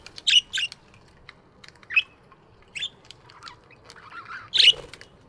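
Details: Morning chirps from budgies in an aviary: two quick bright notes, scattered softer calls, then a louder harsh squawk near the end.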